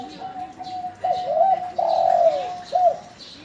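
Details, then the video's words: Local spotted dove in full voice, responding to other birds: a steady hummed tone broken by arched, swelling coos, one long and one short, with faint distant chirps behind. "Burung Derluku Lokal Gacor Denger Suara Burung Lain Langsung Nyaut"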